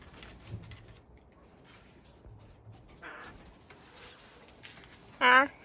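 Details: Jay kept in an aviary where jays eat grapes; after quiet rustling and faint speech, one loud, harsh rasping screech bursts out near the end.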